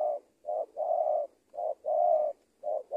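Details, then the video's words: Spotted dove in Indonesia, a decoy bird being trained for lure trapping and meeting another strong-cooing dove. It gives low, mellow coos in a repeated short-then-long pattern: a brief note followed by a drawn-out coo, cycling about every 1.1 seconds. "AJARAN PIKAT TEKUKUR SI BONGSOR KETEMU BL RAJA NGUKU"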